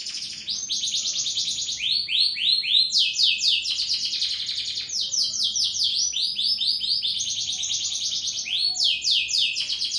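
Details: Canary in full, lively song: continuous fast trills and rolling phrases, long runs of rapidly repeated high notes sliding downward, loud and sustained throughout with no other sounds.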